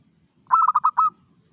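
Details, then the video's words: A single phrase from a local zebra dove in full voice, used to lure other zebra doves: five quick, bubbling coo notes that end on a longer, level coo, with a faint low rumble behind. "PANCINGAN SUARA PERKUTUT LOKAL GACOR PEMIKAT SEMUA JENIS PERKUTUT"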